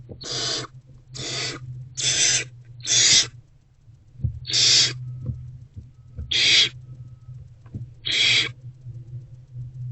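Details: Barn owlet inside a nest box on an early afternoon in February 2024, hungry and feeding on a rodent, gives raspy hissed screeches, seven noisy bursts spaced roughly a second apart, with a constant low hum beneath.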